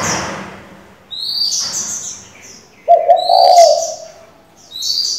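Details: Decoy spotted dove giving varied, changing calls to stimulate and train young doves; one low, throaty coo of under a second, with high twittering chirps of small birds before and after.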